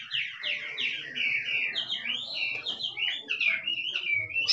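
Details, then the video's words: Wild Chinese hwamei performing kích trống song, a continuous stream of sweet, descending whistled slurs and quick warbled phrases delivered without pause. "Chim họa mi rừng kích trống hót cực đỉnh nghe đã tai"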